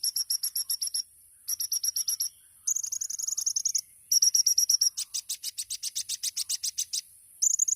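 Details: Olive-backed sunbird (kolibri ninja) champion singing 'tembakan' masteran song: short bursts of rapid high staccato chips separated by brief pauses, shifting pitch between bursts, ending in a loose run of sharp notes.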